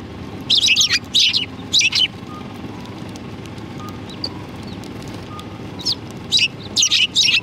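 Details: Sparrows greeting arrivals in front of a cultural hall on 7 February 2020: bursts of sharp, high chirps in quick clusters, with quiet gaps between groups and faint traffic hum beneath.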